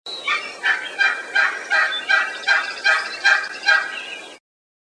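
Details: Wild turkey hen yelping: a steady series of about ten hoarse, raspy yelps, each a short strained note repeated roughly every 0.4 seconds at an even pace, ending abruptly.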